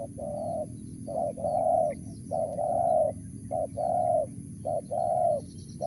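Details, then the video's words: Steady cooing from a wild spotted dove, 'mersik' style: five paired phrases, a brief note leading into a long mellow coo, evenly spaced with short pauses. "BL suara Mersik//Tukang Keliling//Aren4 Laman"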